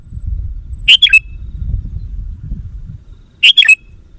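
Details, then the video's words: Sooty-headed bulbul used to lure wild bulbuls gives a short liquid three-note whistled phrase, repeated once after roughly two and a half seconds, over soft low background rumble. "Suara Burung Kutilang Pikat GACOR Sekali Putaran Kutilang Liar Auto Emosi!"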